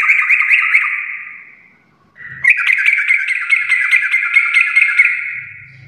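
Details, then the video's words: Sooty-headed bulbul in energetic 'full garuda' gacor song: a fast run of sharp, bright notes fades away, then after a brief gap resumes as a long, steady string of rapid, ringing repeated notes. "trucukan gacor full Garuda parah"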